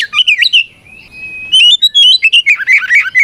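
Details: Oriental magpie-robin singing loud provoking 'ngeplong' song to challenge rival birds; quick tumbling notes, a lower steady whistle, then a dense run of fast varied chirps and twittering slurs, roughly four notes per second.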